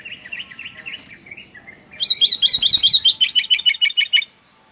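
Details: Sooty-headed bulbul giving a fast, wavering series of chirps, soft at first, then louder and higher, with roughly three notes per second before stopping abruptly.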